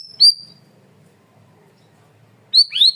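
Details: Cream-vented bulbul (cucak rawis) singing loud and clear in a masteran training recording: a sharp high whistled note with a downward flick, a long pause, then a two-part rising and falling whistled phrase.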